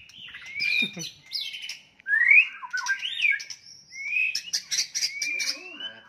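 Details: White-rumped shama fighting song to provoke rivals: sweet rising whistles and slurred phrases mixed with high clicking notes, with a short silence partway through.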